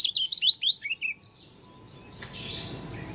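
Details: Strange-sounding song of a dakun Oriental white-eye from Lombok: a brief burst of rapid, high, upward-sweeping whistled notes lasting about a second, followed by background hiss and a sharp click.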